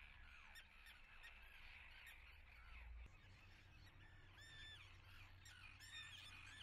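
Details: At a common tern nesting site in Atlit, Israel, on 10 June 2010, a crowd of birds gives grating calls. Clearer arched, down-slurred cries stand out in the second half, over a low rumble.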